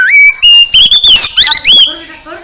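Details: Loud oriental magpie-robin song meant to stir a lazy bird into full song: a dense run of bright whistles, upslurs and quick trills in bursts about every quarter second, ending in softer lower notes.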